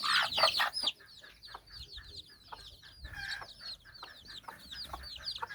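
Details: Hen out walking with nine chicks in Bizkaia, Basque Country; a loud burst opens, then high chick peeps and soft repeated hen clucks, about two or three per second.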